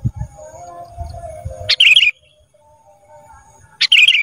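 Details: Kutilang emas (black-capped bulbul) in a training recording for cage birds: two loud, buzzy chirped phrases about two seconds apart, each a sharp note dropping into a warbled trill, over a low hum.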